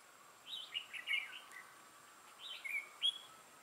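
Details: Red-whiskered bulbul heard while trapping on 6 November 2018: two clusters of lively, warbling whistled notes, sweeping up and down, separated by about a second of quiet background.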